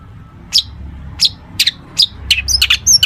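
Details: Long-tailed shrike singing a song stuffed with imitations, played to lure other shrikes into answering: sharp high chips spaced about half a second apart, quickening into a cluster of squeaky whistled notes at the end.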